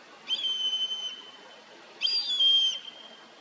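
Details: Common buzzard calling: two drawn-out, plaintive whistled mews, each slightly falling and about a second long, with faint overtones, separated by a short pause over light background hiss.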